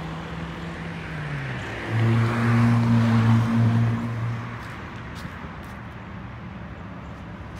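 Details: Engine drone with a louder vehicle passing in the middle, then continued background traffic hum and no animal voices.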